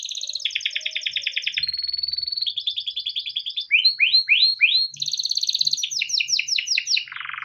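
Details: Caged male yellow canary singing a long tutor song for young canaries: pulsed buzzy trills, a thin held note, rising sweeps repeated quickly, then fast chirps ending in a low buzz.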